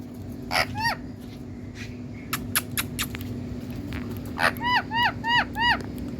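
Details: Green Indian talking parrot in India, with scattered clicks and taps early on. These are followed by a tight run of four bright, arched squawk notes repeated evenly near the end, over a constant low hum.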